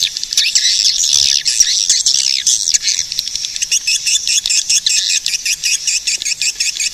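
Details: High, buzzy swiftlet twittering, dense and chattering at first, settling into a quicker run of short repeated chirps in the second half.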